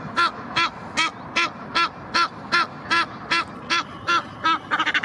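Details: At the Blies in Ludwigshafen am Rhein, aggressive Egyptian geese defend territory with a steady run of raucous, nasal honks about every 0.4 seconds, ending in a quick stuttered burst of shorter calls.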